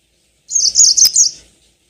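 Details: Yellow-fronted canary (Crithagra mozambica) song, used as a lure to get birds singing long rolling songs: a brief, bright warbled phrase of rapid high twittering notes running together for about a second.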